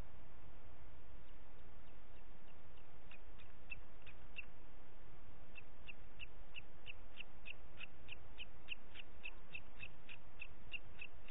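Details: Booted eagle in Parc Natural dels Ports, 30 June 2021 at 11:01, giving a long run of short, high, clipped notes, about three per second, rising in strength midway, over a steady background hiss.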